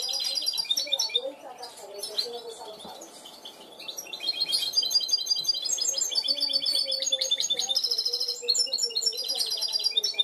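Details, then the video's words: Trained goldfinch hybrid singing in the clean 'cante limpio' style: a continuous, fast run of high, bright trills, twittering phrases and buzzy rattles that keeps going almost without pause, with a faint low hum underneath. "mixto de jilguero educado a cante limpio"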